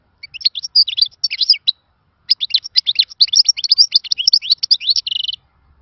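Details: Khalawi-style European goldfinch song: lively twittering notes in two runs, the second longer and ending in a dry, buzzy trill; a quiet setting.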